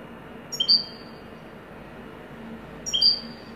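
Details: European goldfinch giving two short, high, clipped notes: a brief pair near the start and another pair about two and a half seconds later, with a quiet background hiss between them.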